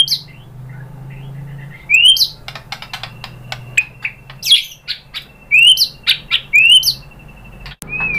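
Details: Lure recording of a white-rumped shama (murai batu), meant to make other birds respond and sing: upswept whistled notes mixed with sharp clicks and ticks, in irregular short phrases over a steady low background hum.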